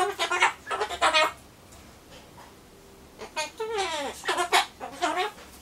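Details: Captive Solomons corella indoors, talking to itself while waiting for pumpkin: two bursts of speech-like, wavering chatter with bending tones, the second longer, separated by a short quiet pause.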